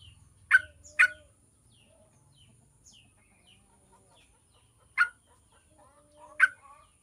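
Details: Yellow-vented bulbul sound played to spur other bulbuls into song: a quick pair of harsh, burry notes, then two more spaced notes after a pause, with faint high chirps between.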